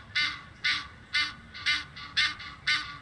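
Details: Egyptian geese in Muizenberg, South Africa, trading honk and flight calls, taped in May using a shotgun microphone: loud, rasping honks in a steady series of seven, roughly two per second.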